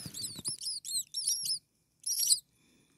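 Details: Six hungry starling nestlings a few days old, in a nest, begging: thin, high, arched squeaky calls in quick overlapping bursts, then a short pause and another burst.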